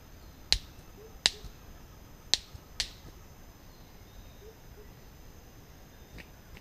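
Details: Orange-collared manakin on its lek at Bosque del Rio Tigre on 18 February 2014, giving sharp, dry snaps: four loud cracks at irregular intervals, then two fainter ones, over a quiet hiss.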